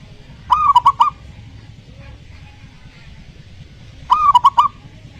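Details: Lure recording of a zebra dove for a dove reluctant to sing: a pair of phrases spaced about three and a half seconds apart, a held coo then three brisk clipped notes, with quiet background noise between.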